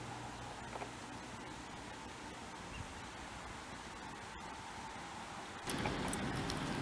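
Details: Soft hiss of outdoor ambience like flowing water, with a sudden louder rush near the end and no animal sounds.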